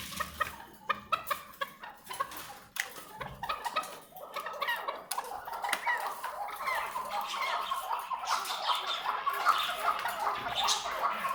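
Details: A pure Maskati Chukar partridge gives sharp, evenly spaced clucking notes that speed up into a continuous, harsh chatter.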